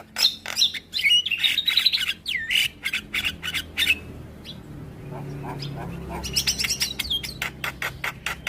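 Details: A Javan myna sings in the morning, its song said to bring quick answers from neighbours' mynas: chattering clicks and curling whistles, a quieter stretch with faint notes, then renewed sharp chatter and whistles.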